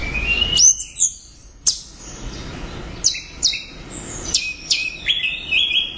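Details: Orange-headed thrush belting out continuous loud gacor teler song: a rising whistle into high chirps, then a string of sharp downward-slurred whistles and twittering phrases about two or three per second.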